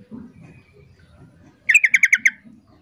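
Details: Calling female sooty-headed bulbul luring a male to answer: a crisp series of six evenly spaced, sharp notes delivered in about half a second over low muffled background noise.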